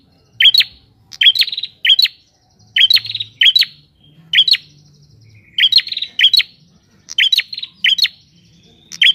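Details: Prinia in the wild, in full song: a series of bright, piercing chips trailing into fast buzzy rattles, delivered in clusters of two or three with short silences between groups.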